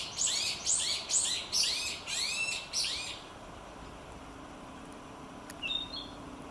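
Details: Narcissus flycatcher singing between bouts of catching food, recorded in 2018: about six loud, clear, arched whistled phrases in quick succession over three seconds, then near silence with one faint brief whistle.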